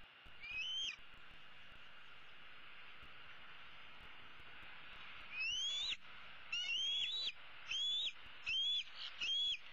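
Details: Bald eaglet, a female and the older chick of 2016, perched in the nest tree in mid-April calling for her parents to bring supper; after a long hiss-filled pause, a run of piercing rising whistles, each sharply slurred, comes in quick succession.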